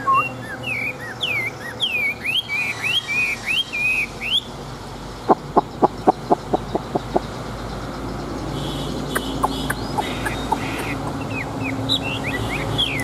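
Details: Large caged Chinese hwamei, an old wild-caught fighting bird with a fine wild voice: a run of loud, slurred whistled phrases for about four seconds, then a series of sharp clicking knocks and a few more high whistles over steady background hum.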